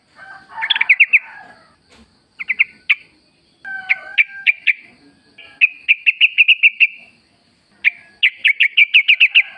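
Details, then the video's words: Yellow-vented bulbul in the wild, played to make caged birds sing back: repeated bursts of quick, clear chirping notes, building into long rapid rattling series near the end. "trucuk gacor ngalas full suara alam ampuh buat pancingan agar bunyi jadikan trucukmu gacor nyaut"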